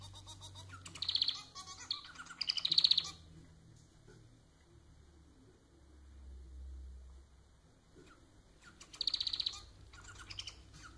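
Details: Domestic Society finch (Lonchura striata domestica) song, played to stimulate other society finches to sing: three short bursts of rapid, buzzy, scratchy, high chatter, a second or so each, separated by pauses over a faint low hum.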